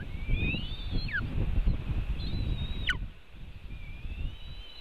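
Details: At a Latvian nest webcam, 5:08 pm on 4 July 2018, one white-tailed eagle steals fish from another; a few high sustained whistles, each dropping steeply at the end, over heavy low rumbling noise.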